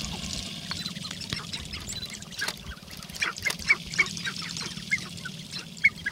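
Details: On a Northern Wisconsin lek on April 29, 2021, displaying sharp-tailed grouse give a steady stream of clucks and cackles, growing louder in the second half, with a low rumbling hum beneath.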